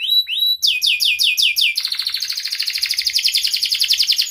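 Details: A canary sings, meant to coax lazy or mute canaries into song with sharp "cuit cuit" phrases. Two rising whistles lead into looping slurred notes, then a long, fast, even trill of high pulses.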